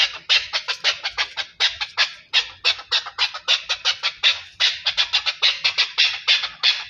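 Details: Chukar partridge associated with Pakistan, giving a fast series of harsh, bright chattering notes, roughly three per second, with an uneven rhythm and no other clear sounds.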